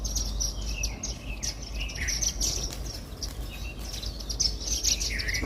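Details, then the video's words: Indian silverbills feed on millet at a house-garden feeder and give a busy, uneven stream of sharp, high chirps, about two each second, some slightly rising. A low droning noise sits beneath them. "Indian Silverbill bird 🐦chirping sound"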